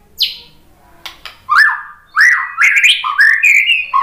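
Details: White-rumped shama singing, played to rouse fighter males: a sharp high note, a few clicks, then a lively run of rising, swooping whistles climbing and falling in quick succession.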